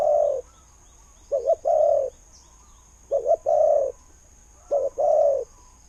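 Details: Spotted dove kept as a decoy bird, its voice praised as good, cooing phrases about every 1.7 seconds: a short doubled stutter note then a long, low, mellow coo, in a quiet setting.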